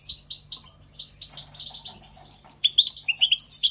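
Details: European goldfinch singing in spring 2020: a run of short repeated tinkling notes that quickens, then bursts into a bright, high twittering jumble of liquid and buzzy phrases.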